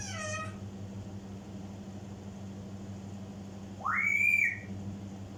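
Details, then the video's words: African grey parrot mimicking in a room: a brief rich harmonic whistle at first, then a loud whistle rising sharply and holding high before dropping, over low steady hum. "African gray parrot mimics"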